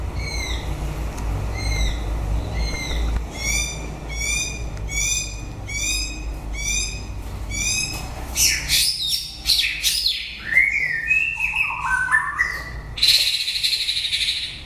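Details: White-rumped shama singing at the end of the breeding season: a run of repeated downslurred whistles, each about one second apart, then rich, varied warbled phrases with rising and falling whistles and sharp bright notes.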